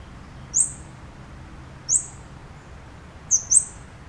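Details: Scarlet-backed flowerpecker, a tiny bird found in towns. It gives thin, very high, sharp ticking calls, four in about four seconds, with the last two close together. A faint low hum sits in the background.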